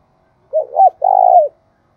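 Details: Spotted dove kept as a decoy bird, cooing to lure wild doves: two short mellow coos, the second rising and falling, then a long buzzy, vibrating note that drops at the end, in near silence.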